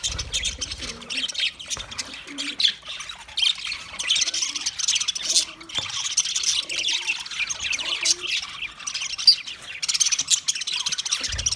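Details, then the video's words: Continuous high-pitched budgerigar twittering with scratchy squeaks and warbled chirps layered over one another, rising a little in intensity midway. "Parrot Calling sounds, Parrot sound video , Natural Budgie Parrot video , Birds chirping sounds"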